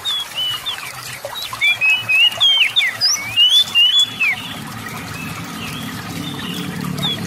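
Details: Oriental magpie-robin song used to prompt other, lazy magpie-robins into singing. A burst of varied, sliding high whistles and chirps runs from about 1.5 to 4.5 seconds, then quieter scattered notes continue over a low rumbling background.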